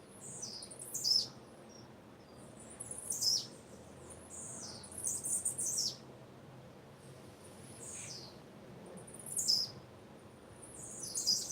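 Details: Repeated high, thin, downward-sweeping chirps from a female blue-black grassquit, roughly every one to two seconds, some doubled, over a quiet steady hiss.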